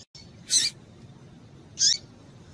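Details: Female double-collared seedeater calling to stimulate a male. Two thin, high, sharp chips are spaced about a second and a half apart over a steady low background hiss.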